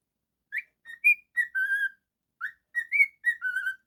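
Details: Pet cockatiel whistling a short melodic phrase of rising and falling notes ending on a longer low tone, then repeating the same tune almost exactly.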